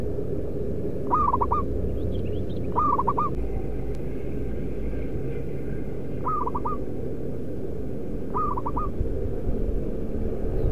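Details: Local Indonesian zebra dove, a strong-voiced decoy bird, delivers four evenly spaced stuttering coo phrases across ten seconds, faint higher chirps from another bird between them, with a low rumble throughout.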